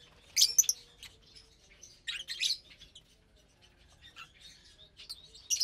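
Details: Lovebirds eating their morning meal of greens and seeds, Saturday 30 April 2022, utter short, piercing chirp bursts separated by near-quiet gaps of about a second or more.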